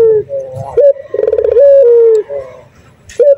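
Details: Local male Barbary dove calling a lot in 'nguku' style. Throaty coos with stuttering pulses glide into a long steady note, then an upward flick. Faint background rumble and clatter.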